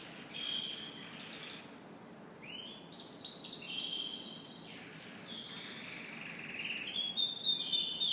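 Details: Canary morning song with long high whistled notes and rolling trills, shifting pitch from phrase to phrase and ending in quick chirping bursts.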